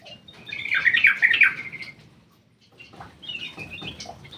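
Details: Aviary-kept black-crested bulbul giving a loud chattering, trilled burst lasting over a second, followed by quieter scratchy notes over steady low background noise.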